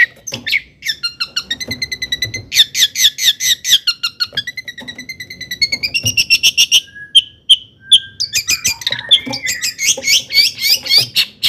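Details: Long-tailed shrike in full mimicking song, played to rouse other shrikes: fast bursts of high trills and rattles, a few pure whistled notes near the middle, then more scratchy chattering.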